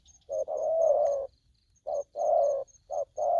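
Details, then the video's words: Spotted dove in an aggressive mood: one long drawn-out coo, then short and long hollow coos alternating. A thin constant high tone sits in the background. "Bổi thổ tơ hung hăng"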